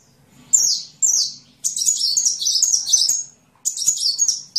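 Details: High sunbird song for training songbirds: two sharp descending slurred notes, then a long jumbled twittering phrase of thin whistles, and another brief twitter at the end.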